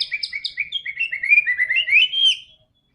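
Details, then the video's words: White-rumped shama song played to spur a quiet bird to sing quickly: a rapid series of short chirps that flows into a long run of whistled notes rising in pitch before fading out. "PANCINGAN MURAI BATU GACOR‼️ANTI STRESS"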